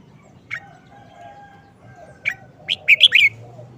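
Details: Red-whiskered bulbul singing in its short-phrase style: two isolated clipped notes, then a quick tumbling phrase of four sweet whistled notes, with a soft low cooing in the background.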